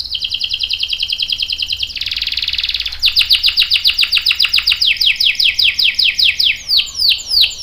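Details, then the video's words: Canary singing a long rolling song, described as a lure to prompt other canaries to answer: fast repeated whistled trills around high pitch, shifting into a buzzy rattle, then rapid sweeping downslurred notes repeated several times a second. "PANCINGAN KENARI GACOR CUIT CUIT bikin NYAUT ikutan BUNYI Ngerol panjang | CANARY SINGING"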